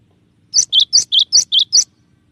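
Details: Clear tembakan song of a gelatik batu, the cinereous tit: seven fast, bright notes alternating slightly higher and lower pitch, delivered in about one and a half seconds.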